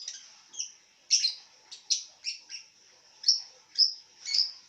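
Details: Lovebird calling while lying down, giving sharp high chirps and squeaks at roughly half-second intervals, some with a slightly raspy edge, in a quiet setting.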